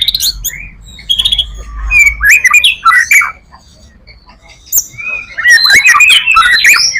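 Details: White-rumped shama giving a full-repertoire song used to attract other shamas, with scattered sharp chips, then loud slurred whistles and squawky phrases in two bursts separated by a quiet gap.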